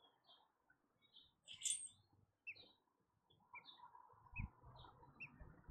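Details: American robin nest with three chicks and one egg left: short, high chirps and thin peeps every second or so, with one brighter squeak, over low rustling and bumping thuds.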